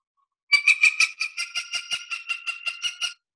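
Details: A Cooper's Hawk, possibly a female judging by its large size, gives a rapid, laughing run of about thirteen harsh, nasal 'cak' notes, four or five each second, with no other sounds.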